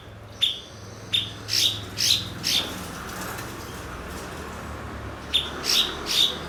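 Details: Blue-winged leafbird, a skilled imitator of other species kept as a master bird; ringing high chip notes repeat roughly twice a second in two groups, with a soft low hum underneath.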